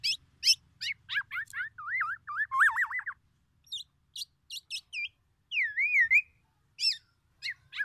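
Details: Black-naped oriole copying oriental magpie-robin phrases as a challenge to other orioles: sharp high chips alternate with rolling, looping whistles, with brief silent gaps between bursts.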